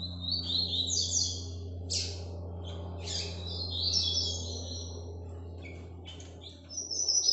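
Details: Captive ultramarine grosbeak, Paraná song style, kept by a Brazilian breeder and singing live: bright, fast warbled phrases sliding between high and mid pitch, separated by short pauses, over a steady low electrical hum.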